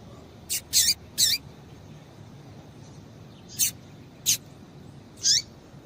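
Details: Female Rusty-collared Seedeater calling to excite males into singing: six brief, piercing high chirps, three bunched early, then three more spaced about a second apart, against faint background hiss.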